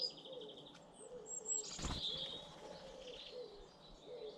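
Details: British garden birds: high twittering and chirps over soft, repeated low cooing phrases, with a loud burst of wing flapping near the middle.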